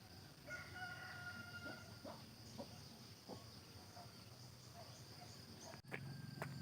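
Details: Rooster crowing in a countryside village in the morning, a drawn-out, harmonic cock-a-doodle-doo over a steady rural hum, with people chatting nearby and a sharp knock near the end.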